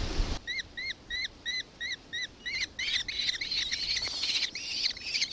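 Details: After a loud thump, a nankeen kestrel in Victoria, Australia, 4 December 2024, gives an evenly spaced series of high, arched notes that speeds into dense, excited chattering.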